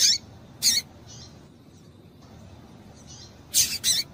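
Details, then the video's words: Female double-collared seedeater calling to stimulate the male: loud high chirps at the start, softer ones in the middle, then a quick burst of three closely spaced chirps near the end, over low hiss. "Fêmea de Papa Capim Chamando para Esquentar Macho"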